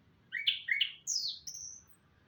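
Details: Orange-headed thrush singing in the morning: two quick slurred, warbling phrases at mid-high pitch, then a bright descending whistle and a thin, level high note, all within about one and a half seconds against a quiet background.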